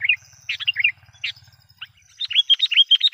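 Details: Lure call of a Sooty-headed bulbul, meant to draw in and agitate wild bulbuls: a few rich chirps, a pause, then a fast series of sharp, sweet rising notes, with a low steady buzz underneath at first.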